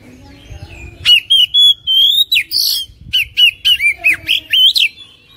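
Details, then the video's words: Oriental magpie-robin song used daily as a lure to prompt a lazy kacer to sing: after a quiet second, a rapid run of loud, clear whistled notes, many sliding up or down, about four per second, with short gaps. "HARIAN GUNAKAN PANCINGAN KACER INI | KACER MALAS BUNYI CEPAT GACOR"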